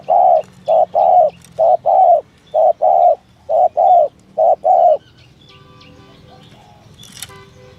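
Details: Spotted dove giving the 'thổ thúc gù' call style for luring doves: five rhythmic pairs of deep hollow coos, short then long, followed by quiet with faint chirping and a sharp click near the end.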